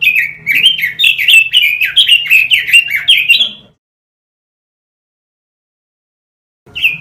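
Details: Robin song used as a master recording for training caged birds: a rapid run of bright, slurred whistled notes for about three seconds, then silence and a brief note at the end.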